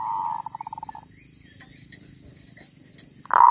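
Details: Wild female zebra dove giving a short sustained coo that breaks into a quick series of clipped pulses, a pause with faint background hum, then another loud coo begins at the end.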